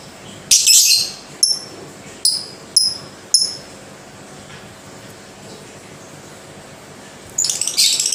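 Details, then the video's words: Lovebird calling slowly: a harsh rasping burst, then four short sharp chirps spaced under a second apart, several seconds of near silence, and a final scratchy, chattering outburst. "Lovebird Bunyi Pelan TAPI Pasti"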